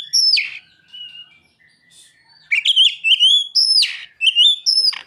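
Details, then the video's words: Kacer, the Oriental magpie-robin, in song filled with ciblek and sogon imitations; loud clear whistles, downward-sweeping notes and rapid chattering phrases repeated more than twice a second, with fainter thin notes in a brief quieter gap. "Kacer isian burung ciblek dan sogon"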